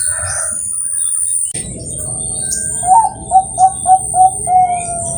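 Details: Competition-grade Bangkok zebra dove, farm-bred in Kroya, Cilacap, Central Java, singing a fixed front-middle-end pattern. After a quiet start, six short soft coos follow at an even pace, the final one slightly longer, over steady background hiss.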